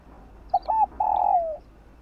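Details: Spotted dove in the morning: a single short coo, a two-note coo, then a long, steady, gently descending coo, all low and mellow over a soft background hum.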